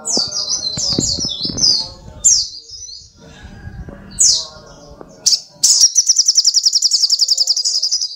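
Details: Brown-throated sunbird chattering in a busy run of high, twisting chirps, then isolated sharp downslurs and a long, rapid buzzy trill.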